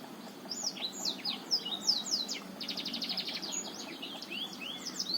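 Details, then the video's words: A Black-throated Canary from Botswana sings a fast, rambling warble of high slurred whistles and rapid trills, with faint background hiss; it is used as a lure song for blackthroats reluctant to sing. "Blackthroat Botswana cocok buat pancingan Blackthroat males bunyi"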